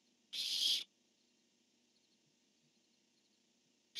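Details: Barn owls calling and answering each other on 10-1-15: one loud, hoarse hissing screech, then quiet, then the start of another screech at the very end.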